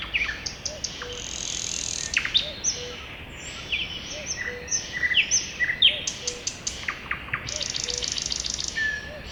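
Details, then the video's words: Forest in spring full of birdsong: busy overlapping chirps, trills and buzzy bursts from many birds, while a soft low two-note call repeats steadily beneath the chorus. "Spring time in the forest, you can hear the birds singing"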